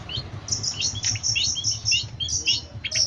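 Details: Long-tailed shrike song from a training recording for singing birds: high thin whistles repeated about three times a second, mixed with short lower chirps, over a low background hum.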